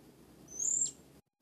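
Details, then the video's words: A single thin, piercing high whistle that slides slightly and ends in a short downward flick, from a young caged Blue-crowned hanging parrot practising its song, over faint low background rumble. "sekodeng serindit berlatih"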